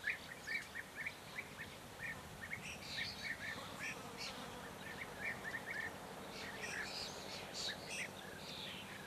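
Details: European goldfinch, Carduelis carduelis: a run of quick liquid twittering notes near mid pitch, clustered in bursts, with higher tinkling phrases after the second second, over faint steady background noise.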